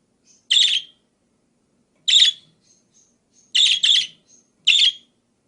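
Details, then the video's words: Budgerigar chirping varied call notes used to tutor other songbirds: five rasping high bursts, two given back to back near the end, with thin, faint whistled traces between them in a quiet setting. "Suara Kicau Burung Parkit Berbagai Variasi"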